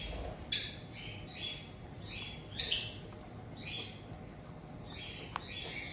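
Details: Captive white-bellied caiques in Tokachi, Hokkaido, Japan, on 18 June 2023. A resident pair welcomes a newly arrived chick of just over two months. Two loud, sharp, high squawks come about two seconds apart, among softer short chirps.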